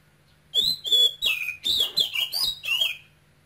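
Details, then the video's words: Caged male oriental magpie-robin of Cambodian origin, with a Quảng Ngãi regional voice, singing continuously. Eight or so sharp whistled notes follow quickly, each sliding down, over a faint steady low hum. "CHÒE THAN campuchia TRỐNG kêu sung Hót hay"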